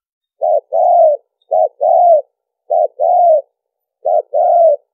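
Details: Spotted dove crowing used as a trapping lure: four short-long coo pairs at slightly uneven intervals, warm low notes with no other sounds.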